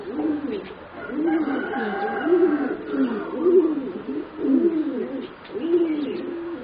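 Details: Four young competition-bred singing zebra doves, about 3.5 to 4 months old: low rolling, trilled coo phrases repeated roughly once a second in steady succession, each phrase warbling up and down, with light room noise.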